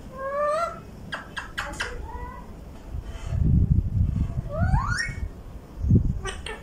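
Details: Pet ringneck parakeet talking in Urdu in Vehari, Punjab, Pakistan: several short rising, whistled, speech-like syllables and sharp clicks, a longer upward-sweeping phrase around the fifth second, with low rumbling handling noise underneath.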